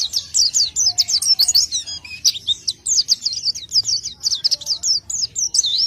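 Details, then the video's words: Oriental white-eye delivering gacor isian song, a steady stream of thin high chirps and twisting little whistles, fast and unbroken across the whole stretch. "isian burung pleci gacor"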